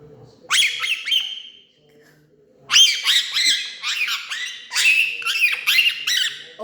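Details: Indian ringneck parakeet, a pet talking parrot, yelling at its owner: loud harsh squawks and chattering calls in bursts, a short one then a longer run after a pause, with a person speaking nearby.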